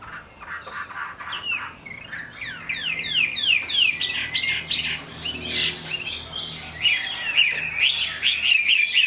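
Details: Singing in the rain, a Chinese hwamei gives fast sliding whistles, a series of downward sweeps building into a dense, varied warble over light background hiss.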